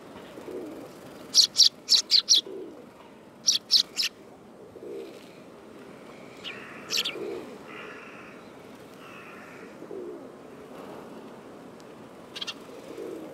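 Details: Autumn sparrow, 18 September 2013, calling in bursts of rapid, high, clipped chirps, three or four per burst, followed by a few scattered single chirps, while a dove coos softly and steadily beneath.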